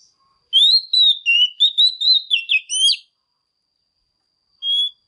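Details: Clear whistled phrase from a female Oriental magpie-robin singing to stimulate males: about ten sweet sliding notes over two and a half seconds, a pause, then one lone whistle.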